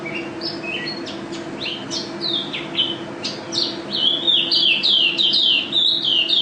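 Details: National first-place champion mountain white-eye singing in gacor, ropel style: rapid chirpy high twittering that builds into a dense run of bright whistled slurs toward the end, over a steady low electrical hum.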